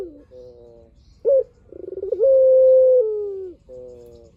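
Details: Lure song of a spotted dove (puter) meant to make other doves respond: a soft coo, a sharp rising note, a rapid rolling purr building into a long sustained level coo that fades downward, then another soft coo.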